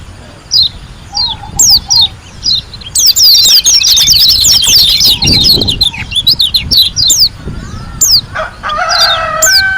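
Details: White-eye from Lombok in gacor ngalas song: scattered high whistled sweeps build into a dense, busy burst of twittering chatter, then thin out. Soft low trills come early, and a harmonic crow-like call sounds at the end.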